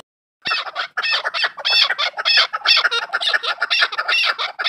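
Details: A farmed chukar partridge gives a rapid, harsh run of clucking chuk notes, about one burst per second, building into a steady rasping chatter.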